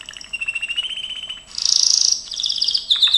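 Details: Singing Gloster canary, recorded for training: a long evenly pulsed low trill, then a bright high buzzy roll and quicker chattering rolls to finish.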